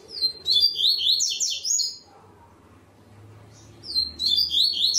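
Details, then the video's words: Competing in the third stage of an online singing contest, a Double-collared seedeater from Ribeirão Preto, São Paulo, Brazil sings two bright, rapid twittering phrases of quick slurred notes separated by a pause of about two seconds, with a faint low hum. "3ª ETAPA TORNEIO VÍDEO WEB COLEIRO ON-LINE"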